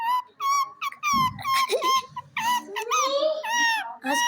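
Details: Hand-tamed ring-necked parakeet talking at home with children. It produces a rapid stream of nasal, harmonic-rich speech-like syllables, with some rising and wavering, and a brief low scratchy thump midway.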